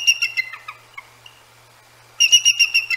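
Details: At night near their nest, a Bald Eagle pair scold two Great Horned Owls: a fast series of shrill, whistled chips fading off, a pause of over a second, then another sharp burst of piping notes.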